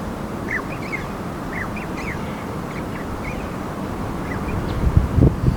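Alpine chough giving short, high, upward-sliding chirps in loose bursts of two or three, over a steady low wind rumble with a few thumps at the end.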